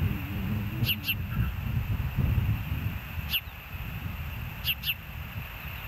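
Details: At a Hellgate osprey nest on a live camera, 06/04/2024 at 13:10, short piercing chirps drop in pitch, coming as a pair, then a single note, then another pair, against constant low wind rumble.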